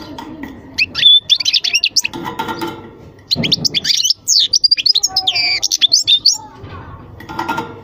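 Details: Song of a European goldfinch in two lively bursts of rapid chirps, buzzy trills and sweet twittering notes, separated by a brief pause, with some low room noise between phrases.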